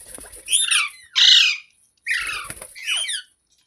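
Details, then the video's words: Green parrot, presented as talking, makes four grating, buzzy phrases in two pairs, each one sliding down in pitch, over a faint high steady hiss. "Green Parrot Talking | Funny Parrot Sounds Videos | मिट्ठू की आवाज़ | तोते की आवाज़"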